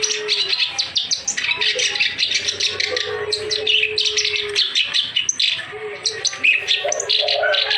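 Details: Clamorous reed warbler, known locally as kerak basi, singing continuously, used to stimulate birds that are lazy or have stopped singing; a dense stream of rapid, harsh, scratchy chattering notes over a steady low whistled tone.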